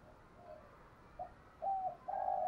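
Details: A distant spotted dove in 'giọng thổ' style, a lure to stimulate cooing, gives soft notes and two longer, flat, mid-pitched coos over a steady background hiss.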